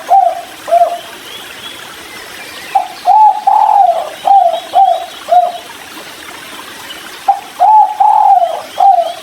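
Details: Drinking by a river, a spotted dove in kuk 3 style utters low, smooth cooing phrases, a short pair of notes first, then two longer bursts of several coos each.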